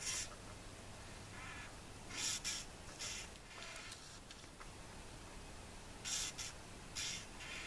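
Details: Roadside hawk (Rupornis magnirostris) in Barinas, Venezuela, giving harsh, raspy screeching bursts, each under half a second, in two close pairs a few seconds apart, over a soft steady hiss.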